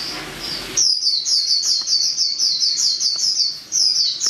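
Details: Female white-eye singing: after a short faint start, a rapid, very high-pitched twittering trill of fast repeated chirps runs almost without pause, briefly dipping before resuming loudly.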